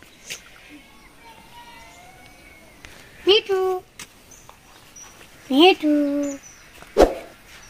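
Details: A pet rose-ringed (ringneck) parakeet in Bangladesh, recorded 24 November 2023, talks: two short, nasal, word-like phrases, possibly "me too", each rising then level, about two seconds apart, with faint background sounds and clicks.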